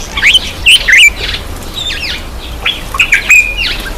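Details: Black-eyed bulbul during a bath utters loud, clipped chirps with quick up-and-down twists, grouped in short runs of two or three, then a slurred whistle near the end.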